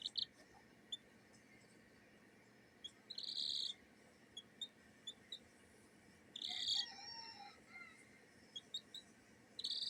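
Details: Kikiriki bantam chick from a hatchery making happy sounds: soft, high peeping chirps in short bursts, several brief notes and three longer trilled peeps spread over the clip, in quiet indoor surroundings.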